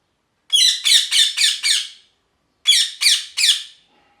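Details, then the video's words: Parrot screeching in rough, grating bursts: five rapid squawks, a pause of half a second, then three more, each note harsh and broad. "Parrot Chirping Sounds | Natural Parrot Sounds | Parrot Calling Sounds"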